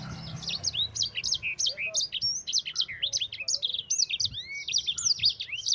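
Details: Rolling, intense song of a yellow-fronted canary, played to tutor other birds, with an unbroken stream of high, quick, up-and-down whistles and trills repeated several times a second over faint low rumble.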